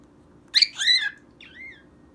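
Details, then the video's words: Pet cockatiel singing to a toy mouse on a colourful stage: a sharp high chirp followed by a warbled, downward-bending whistle, then a softer rising-falling note. "Cockatiel sings to mouse"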